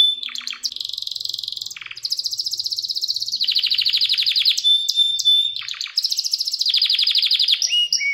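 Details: Canary in full song, recorded for teaching young birds: long rattling trills of rapid repeated notes, interrupted by sharp downward sweeps and clear whistled tones, steady and loud.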